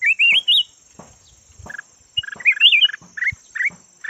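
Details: Decoy red-whiskered bulbul, yellow variety: opens with a loud looping whistled phrase, then after a pause a burst of clipped chirps and a wavering rising warble, against a steady high background hum.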